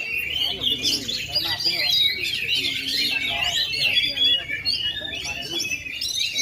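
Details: Full-power singing from an Oriental magpie-robin that has not molted in two and a half years: fast, jumbled high twitters, buzzy trills and whistles running without pause, with murmuring in the background.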